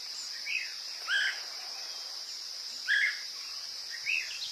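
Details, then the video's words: Woodpecker calls played as a lure for attracting woodpeckers: a few short, sharp notes at irregular intervals over a steady, high insect drone. "PIKAT BURUNG PELATUK SUARA PANCINGAN"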